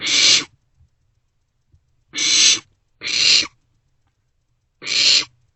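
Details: Barn owlets sharing a meal inside a nest box at about 2 am in March; four loud, noisy hissing screeches, two close together in the middle, separated by silent gaps.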